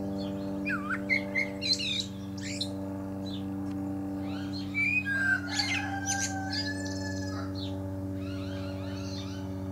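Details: A Common Blackbird atop a pear tree gives repeated fluty warbling phrases with scratchy high twitters, partly masked by a strong continuous low droning hum.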